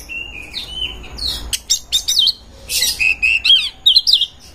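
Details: Song of an Oriental magpie-robin in breeding condition, used to lure other birds: clear sliding whistles open it, then come crackly buzzy bursts and a lively string of rising and falling whistled phrases.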